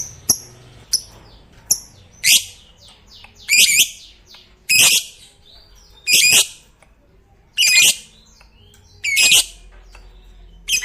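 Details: Fighter lovebird in its ngekek performance, said to prompt other lovebirds to call: a few thin ticks, then harsh, rasping high squawks repeated roughly every one and a half seconds, each loud burst followed by a short pause.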